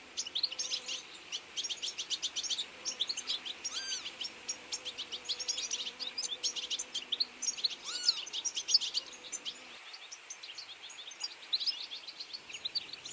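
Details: Several European goldfinches in a feeding flock in autumn keep up a steady, high, liquid twittering chatter, with two sharp upslurred squeaks standing out and a faint low hum underneath, the chorus thinning slightly toward the end.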